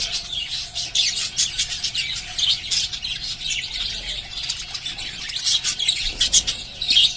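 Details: Pet lovebirds chirping together: a dense, continuous chatter of short, high, scratchy chirps and squeaks that overlap throughout, with louder bursts near the end and a faint steady hum underneath.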